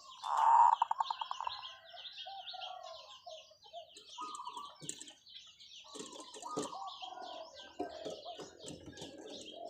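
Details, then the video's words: Long-calling zebra dove decoy opens with one loud coo trailing into fast staccato notes, after which a crowd of other small birds chirps and twitters for several seconds. "เสียงนกเขาชวาต่อ ออดยาวๆ"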